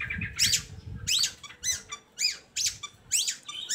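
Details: Long-tailed shrike song used as a lure to coax lazy shrikes into singing: harsh, squeaky high notes in short bursts about twice a second, with faint low room noise beneath.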